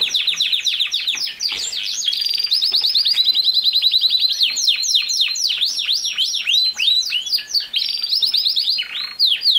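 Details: Loud canary song used to train a young male canary to sing; fast chains of steep down-slurred notes, many per second, mixed with buzzy rolls, running continuously for nearly ten seconds.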